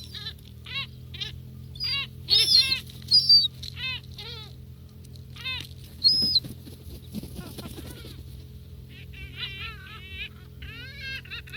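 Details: Gulls feeding at close range in Northern Kazakhstan: a flock gives loud, harsh, harmonic calls in rapid overlapping series, some drawn-out squealing notes and quick chattering runs, over a steady low hum.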